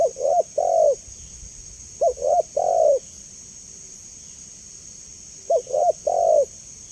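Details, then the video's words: Spotted dove calling clearly, presented as a lure and therapy sound for kept doves: three low, hollow coo phrases, each two or three quick notes ending in a longer drawn note, spaced a few seconds apart. "Suara Jernih Burung Tekukur Paling Disukai Dan Cepat Direspon Tekukur"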